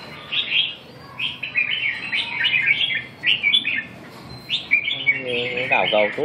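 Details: Red-whiskered bulbul kept in a cage, singing in what is called a rather weak voice; lively chirping, warbled notes in short rapid runs, ending as a man starts speaking.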